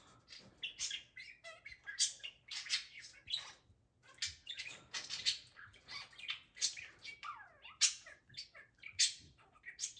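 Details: Pet male budgerigar excitedly chattering to his cage toys after doing flips on command; rapid run of bright, scratchy warbles and chirps with short whistled notes, bursts roughly every second, continuous lively babble.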